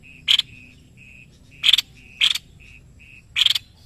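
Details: White-necked babbler kept as a tutor bird by Indonesian songbird keepers, singing vigorously: four loud, harsh, buzzy bursts spaced about a second apart over a steady series of short, high, piping beeps.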